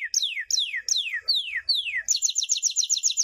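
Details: Champion canary song for teaching young birds: five clear whistled notes sweeping downward about twice a second, followed by a rapid rolling trill of repeated high notes.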